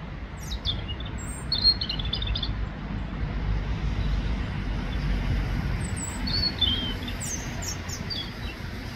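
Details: European robin (Erithacus rubecula) in Ljubljana Botanical Garden, 18 October 2024, giving thin high twittering phrases in two short bursts, at the start and near the end, over a steady low traffic rumble.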